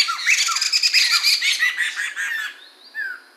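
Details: Song of the poksay mantel or medan (Chinese hwamei), 2021: a vigorous, fast stream of loud, bright whistles and warbles with quick downslurred notes, ending in a thin drawn-out whistle and one short slurred phrase.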